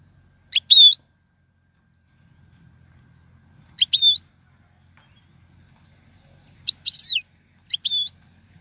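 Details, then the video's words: European goldfinch singing brief sharp twittered phrases in the 'royal' style for teaching fledglings, separated by long pauses of about three seconds, with a soft low rumble in between. "أفضل تغريد الحسون"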